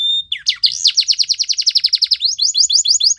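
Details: Belgian canary (Serinus canaria) singing a training song: a brief whistle, then a fast, even trill of about thirteen high notes a second, ending in a slower run of rising whistled notes.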